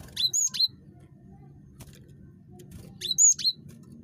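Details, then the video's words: A very chatty cinereous tit (gelatik batu) used to draw out calls from other birds. Two short clusters of piercing, high, upward-flicking notes, about three seconds apart, over a low steady background hum. "GELATIK BATU SUPER CREWET"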